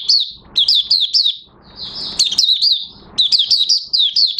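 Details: Oriental white-eye starting to sing, recorded 30 August 2022 as new white plumage nearly finishes colouring; crisp high chirps in fast groups of three or four, a brief warbled run, then more rapid twittering.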